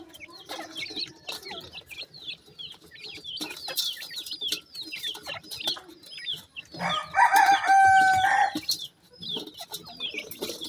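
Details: Baby Sindhi partridges (teetar chicks) from Pakistan give rapid, overlapping high chirps that slur downward. A loud steady whistling tone cuts in for about two seconds near the end.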